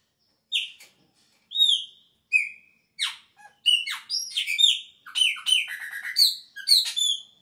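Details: Chopi blackbird in full song at the start of the season, when its song changes: spaced whistled notes building into a fast, varied string of liquid whistles, chuckles and rasping slurs over about seven seconds, with no other sounds.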